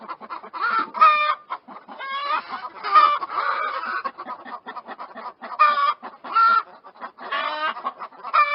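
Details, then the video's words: Chickens clucking in a steady stream of short, harmonic notes, some drawn into brief nasal squawks, with overlapping calls and small pauses throughout. "chicken tone variety chickens clucking sounds of chicken"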